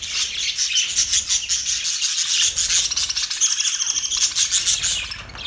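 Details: Continuous dense budgie chatter, a steady stream of fast buzzy, scratchy high chirps and warbles with barely any pause.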